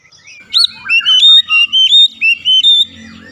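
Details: Oriental magpie-robin (kacer) therapy song to get birds opening their beaks: a rapid run of about six bright, ringing whistled notes within two seconds, fading to quiet.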